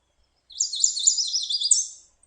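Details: A Yellow Warbler's bright, high song, rendered as 'sweet sweet sweet I'm so sweet': a quick run of about a dozen sweet, slurred whistled notes in under two seconds, ending in a rapid flourish.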